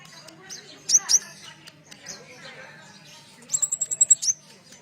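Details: Sunbird used as a lure to provoke captive birds to sing: thin, very high chirps and short squeaky notes, then a rapid run of about eight sharp high notes ending in a slurred note.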